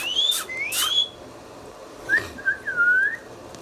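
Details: Indian ringneck parrot kept as a pet, giving long rising whistles mixed with sharp clicks, then a pause and a short series of slurred whistled notes.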